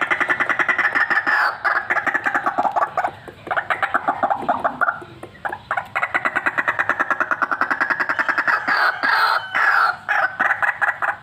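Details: A white-breasted waterhen, described as a chatty fighter bird ready for use as a lure, repeats hoarse croaks nearly nonstop, pausing briefly near the middle, then resuming in a rapid, even chain to the end.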